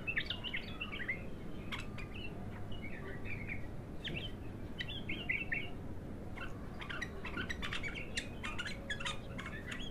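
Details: Raw, untrained bulbul (local name al-abtar) giving its first song: lively chattering phrases of bright whistled notes, some slurred up and down, delivered in runs with short gaps, over constant low-pitched background hum.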